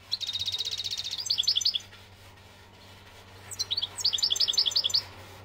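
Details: Algerian European goldfinch song in two bursts: first a fast trilled buzz, then quick high twittering notes, a pause of nearly two seconds, then another lively twittering phrase; low hum in the background.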